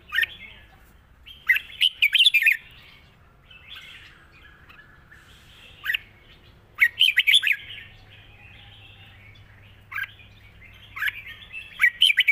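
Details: Repeated warbled phrases from a red-whiskered bulbul singing its soft-voiced wild-style song, each lively burst of bubbling notes coming every few seconds over a faint low hum.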